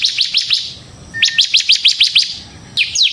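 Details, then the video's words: Gacor ngebren singing of a bar-winged prinia (ciblek semi), meant as a lure: a few quick chips, a short level whistle, then a run of sharp repeated notes and two final down-slurred chirps. "suara burung CIBLEK SEMI GACOR Ngebren"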